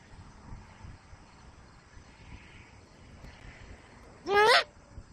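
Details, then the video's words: A female Great Horned Owl, landing on a veranda at night on 31 October 2024 while looking for her absent mate, gives one short, loud, squeaky high-pitched chirp with a bright harmonic edge instead of her usual hooting. "Female Great Horned Owl Lands On Veranda! Makes Short Chirping Sounds!"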